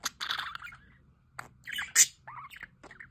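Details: Budgerigars in an aviary with a solar water fountain give a harsh burst of chatter, then separated squawks and one piercing high squeak, followed by a short curling chirp.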